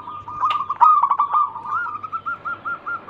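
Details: Zebra dove of a local strain singing as a lure for other birds: a brief rattled burst of notes followed by soft, evenly spaced cooing notes at a steady pitch.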